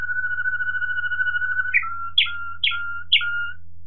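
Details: Song of a Waterslager Malinois canary from 2018: a long, level whistled note, then four short clear notes each opened by a brief higher chirp, over a steady low hum.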